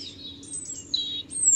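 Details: Song of a European robin, with high, thin sustained whistles sliding between pitches, then a brief shimmering trill and a final very high drawn-out note.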